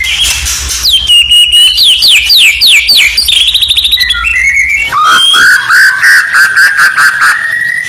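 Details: White-rumped shama song used as contest-preparation audio: high shrill opening, sharply falling whistled notes repeated in a series, then a long steady whistled note that slowly rises, with faint low hum underneath.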